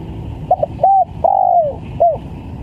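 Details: A single coo phrase from a spotted dove on a trapping lure: a quick stuttered double note, a short arched coo, a long coo gliding downward, then a brief final note, over a low rumbling background.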